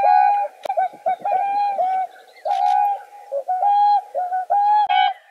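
A swan gives a series of nasal, trumpet-like calls, each a steady mid-pitched note with rich overtones, repeated about once a second with short breaks.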